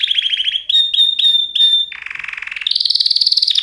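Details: A canary sings a quick rolling trill, then a few piercing pure whistled notes, a lower buzzy rattle and a rising high trill, all in close succession with no background noise.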